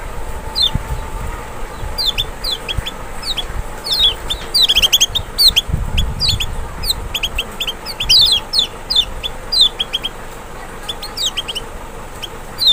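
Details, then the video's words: A Lemon-bellied white-eye (Zosterops chloris maxi, the large Lombok/Sumbawa kecial) sings as a lure sound to provoke reluctant kecial into singing: rapid, high, thin twittering notes tumbling and overlapping in busy bursts, over a low background rumble. "Kecial malas bunyi"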